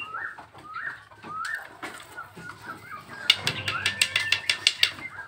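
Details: Nias hill myna, a kept singing bird (gacoran): a few short, rising whistled notes at first, then a loud burst of sharp, rapid clicking bursts close together, possibly wing flaps.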